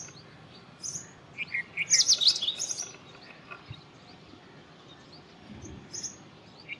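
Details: Indian robin giving a lively song, a rapid run of high, sharp trilled notes in the middle, framed by separate thin chirps; low faint background noise.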